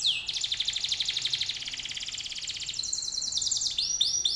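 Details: Canary lure song for drawing other canaries into answering: a sustained rapid rattling trill that runs for several seconds, then switches to higher rolling notes and a few swooping whistles.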